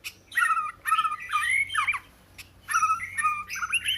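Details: Short phrases of Oriental magpie-robin song: two loud bursts of mixed whistled and scratchy notes, sliding up and down, separated by a brief pause, with a soft background hum.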